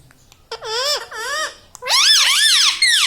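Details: Talking rose-ringed parakeet kept as a pet, saying words such as mummy and radhe; two smooth dipping harmonic syllables, then a longer rapid string of rising-falling phrases.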